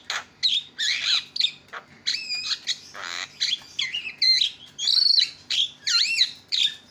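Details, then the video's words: Loud Javan myna song from a champion tutor recording. A busy jumble of harsh squawks, wavering squealed whistles and grating buzzes pours out almost without pause, with twisting notes rising and falling sharply. "JUARA KICAU JALAK KEBO PALING KRREENN"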